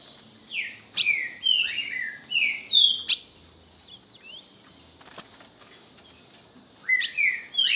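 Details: Ultramarine grosbeak singing at a rival: a run of five or six quick whistled notes stepping downward, a pause with faint twitters, then a brief renewed burst with sharp clicks.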